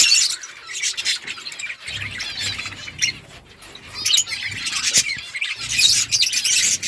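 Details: Budgies chatter to each other with high warbled chirps and scratchy notes, quieter in the middle and louder toward the end, with soft low pattering beneath.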